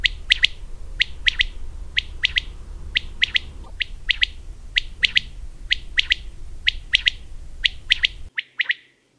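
A common quail repeats its sharp, liquid three-note phrase, 'wet-my-lips', about once every second and a half over a low background rumble.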